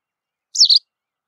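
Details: White wagtail giving a single sharp, high two-part call, a bright chirp dropping slightly in pitch, lasting about a quarter second against otherwise silent background.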